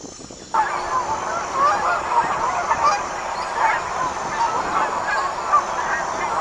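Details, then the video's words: Wild geese in a flock, a sudden start into steady overlapping nasal honking from many birds, calls rising and falling in a continuous clamour. "Sounds of a Flock of Wild Geese"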